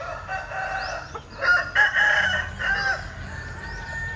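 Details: Linh Ke chicken with an unusual crow, heard as a mid-loud, broken series of harmonic notes over steady background noise, with small birds chirping throughout.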